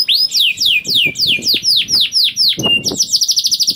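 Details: Canary song used to prompt other canaries to sing: rising whistled sweeps, then falling slurred notes about twice a second, ending in a rapid buzzy trill; faint low background noise.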